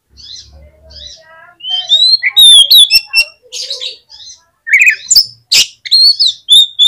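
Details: Oriental magpie-robin song played as a lure to get a reluctant magpie-robin to answer: loud, varied phrases of sharp rising and falling whistles, rapid chirps and scratchy notes, with short pauses and a faint low hum at the start.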